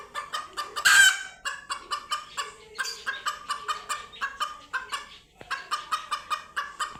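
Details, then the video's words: Frightened chickens meeting cats for the first time give a rapid, uneven stream of harsh squawking screams. One louder, ragged shriek comes near the start, and the panicked calling continues almost without pause. "Scared Chickens Scream Loudly After Seeing Cats for the First Time!"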